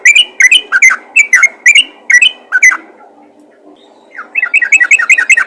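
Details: Yellow-vented bulbul calling other bulbuls: fast bright chirps for about three seconds, a brief quiet gap, then a renewed quicker burst of chirping.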